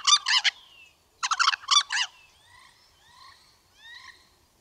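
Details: A White-necked Crow gives two bursts of harsh, bubbling, gobble-like "culik-calow-calow" notes about a second apart, then softer slurred whistles.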